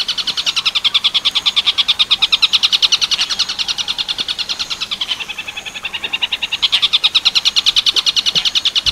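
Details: Master song of a long-tailed shrike, tengkek buto werkudoro type, for training other birds. Rapid, high chattering notes run continuously at about three per second, fading briefly around the midpoint before strengthening again.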